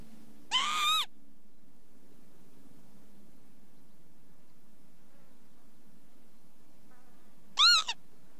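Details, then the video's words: Northern lapwing giving two separate wheezy, slurred calls, one near the start and one near the end, each arching up then down, with a quiet low hum in between. "ontspannen kievit geluid"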